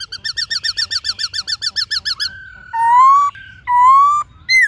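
A White-cheeked laughingthrush gives a fast run of about twenty clipped, nasal notes in two seconds, then long, rich, slowly rising whistles repeated twice.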